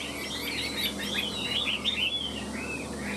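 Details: Chinese hwamei kept in a cage, tail spread and wings flicking as it sings a short burst of high, looping whistles and quick slurred notes, delivered in a continuous varied phrase.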